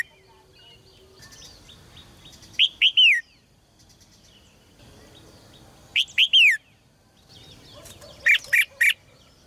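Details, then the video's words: Red-whiskered bulbul kept in a cage, its song used to stir males into strong singing; three brief bursts of three or four bright whistled notes, spaced about three seconds apart, with faint chirps and soft background noise between. "นกหัวจุก birds - เสียงนกร้องในกรง กระตุ้นนกตัวผู้ให้ร้องอย่างแรง"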